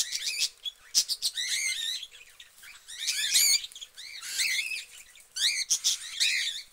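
Cockatiels give busy bursts of high, warbling chirps and whistled notes that overlap in quick clusters.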